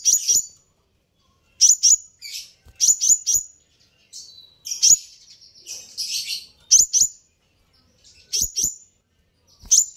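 A sunbird gives sharp, very high chirps in quick clusters of two or three, repeated every second or two, with faint low thumps in the background.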